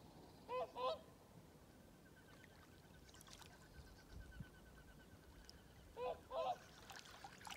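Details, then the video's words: Swans call at sunrise as the sun rises above the horizon: two brassy, nasal double honks about five seconds apart, each pair quick and slightly rising, over a quiet background hiss. "Swan calling sound"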